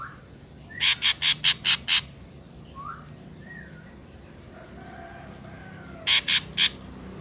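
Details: Ashy drongo singing in nature: a fast run of six grating, buzzy notes, soft slurred whistles in between, then three more harsh rasps at the end.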